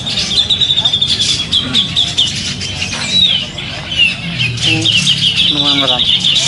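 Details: Winning grey-cheeked bulbul at a songbird contest on 27 September 2020 sings rapid high trills and whistled slurs for several seconds, while people talk nearby and other calls chatter in the background.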